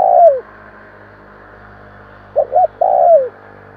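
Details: The tail of one spotted dove coo, then a complete phrase: two short hollow notes and a long coo falling away. The call is used to excite wild doves, and a low steady hum sits beneath it.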